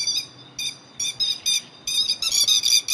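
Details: Lure recording of a grey-headed lapwing for trapping birds: harsh, high, buzzy-edged notes in short separated bursts, then a denser tumbling series of overlapping shrill calls toward the end.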